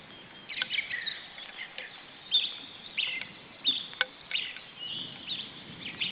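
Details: A male osprey brings a headless fish to the nest and calls with irregular high chirps and short whistled notes, a few seconds of scattered bursts against constant low hiss.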